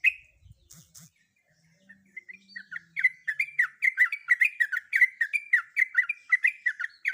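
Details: Female sooty-headed bulbul in breeding condition calling a male: after a few soft notes, a fast run of sharp chirped notes starts near three seconds, about three per second, with rising and falling clipped inflections.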